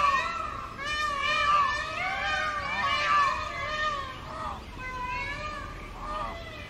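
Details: Young Indian peacock with a short tail, calling on a road in summer breeding season: a series of loud, harsh, arching wails run together, rising and falling, with a couple of shorter cries at the end.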